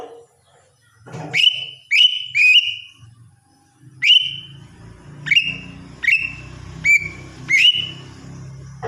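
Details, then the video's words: Morning song of a lesser green leafbird. Nine bright whistles rise quickly and then hold steady, several coming in quick pairs, over a constant low hum. "cucak ijo mini RUTINITAS bunyi di pagi hari"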